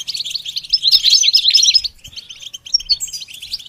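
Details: Goldfinch in song training, giving a burst of quick, jumbled twittering notes for about two seconds, then a softer, sparser run of chirps and a thin high whistle.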